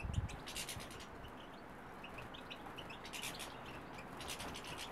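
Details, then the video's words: Flock of European goldfinches recorded on 24 January 2015, gathering in large numbers; faint, scattered high twittering chirps and tinkling notes drift over a steady low rumble of background noise. "Goldfinch invasion"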